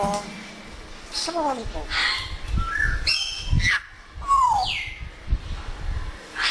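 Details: Pet African grey parrot talking while enjoying the weather, with Urdu and Pashto words in its repertoire. Short voice-like phrases mix with harmonic squawky notes and a clear whistle that slides downward, in a small indoor space.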